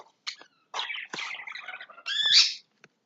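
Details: Lovebirds in their house, clearing out everything within; a run of harsh, grating squawks and chattering notes, some dropping into low rasps, ending in a loud drawn-out shrill screech, with a short tap after it.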